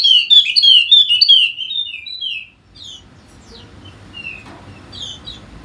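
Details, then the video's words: Wallacean white-eye, a golden-headed bird endemic to Sumbawa in West Nusa Tenggara, used as a lure for lazy birds: rapid high-pitched chattering twitter for over two seconds, then scattered thin single notes over faint background hiss. "Pancingan Khusus Untuk Burung Pleci Wallacea Yang Malas Bunyi Agar Rajin Bunyi Gacor!!!"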